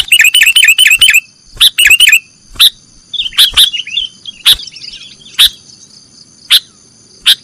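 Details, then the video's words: Sooty-headed bulbul nggaruda-style song for training cage birds. It opens with a fast rattling string of chirps, then thins to single sharp ticks spaced about a second apart. A faint continuous high tone is present. "Masteran burung kutilang nggaruda"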